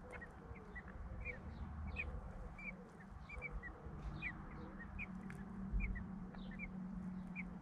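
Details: Blackbird chicks a few days out of the egg begging in their UK nest as both parents bring food and clear droppings; many quick thin squeaks over a steady low rumble.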